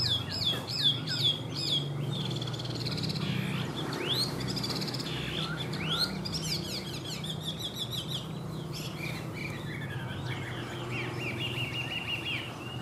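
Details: Captive Chinese hwamei in Vietnam with a varied song: sharp rising and falling whistles, quick trills and slurred phrases that change from moment to moment, over a low humming background.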